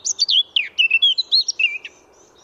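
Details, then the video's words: Eurasian blackcap, a free-living bird, delivering a loud, clear fluted phrase of about eight rich whistled notes, rising and falling, ending abruptly before a quiet pause. "chant & cri de la fauvette à tête noire"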